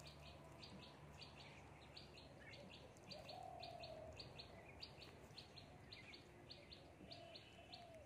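Mynas give sharp, high chirps in quick pairs, repeated nearly twice a second, with a brief low cooing note midway and a steady low background hum.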